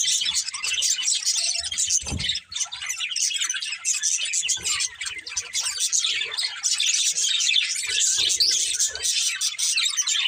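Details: A family of pet budgerigars chattering: constant high, scratchy warbles and chirps layered from several birds, with a brief low thump near the two-second mark and unbroken twittering to the end.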